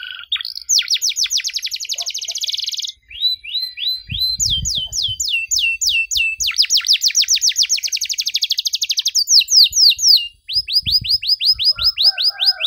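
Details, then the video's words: Canary singing energetically in long bursts with ornate 'cengkok mewah' phrasing, as a model for young canaries: buzzy high trills, fast runs of swept notes, and steady whistled sequences, with occasional low knocks and rustles. "KENARI GACOR DORR NEMBAK PANJANG, CENGKOK MEWAH COCOK BUAT KENARI MUDA BELAJAR BUNYI"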